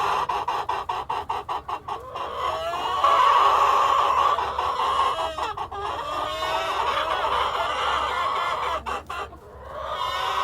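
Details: Hens and cockerel open with a fast series of evenly spaced clucks, then break into long layered cackles and a whistled tone, with more short clucks and a brief lull near the end.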